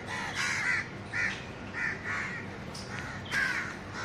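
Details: House crow (Corvus splendens) in a city park in Delhi, India, gives about five harsh, nasal caws spaced roughly half a second to a second apart, over a steady background hiss of outdoor noise.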